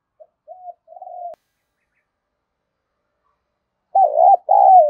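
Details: Spotted dove cooing to stimulate other doves: soft short introductory coos, a pause of over two seconds, then two loud, rounded coo notes.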